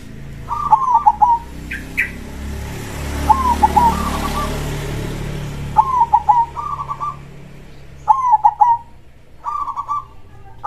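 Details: Krosing-style song of a local zebra dove (perkutut) with a big voice: five quick trilled coo phrases, each ending in a soft purr, spaced about every two and a half seconds against a steady engine rumble.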